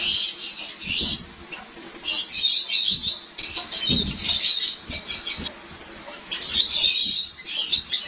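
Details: Captive white Java sparrows, with their breeding season about to start, chatter in bursts of high, thin chirps and twittering notes, in clusters every second or two with soft low thumps between.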